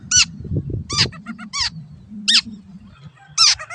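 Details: Long-tailed shrike master song for training caged birds: isolated sharp, downward-sweeping squeaky notes roughly every second, a few quick chips between, low background hum.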